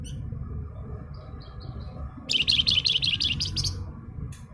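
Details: Javan fulvetta, a singing cage bird: a quick, dense burst of high, sharp chirping notes lasting about a second and a half, preceded by a few faint thin whistles, over a steady low indoor hum.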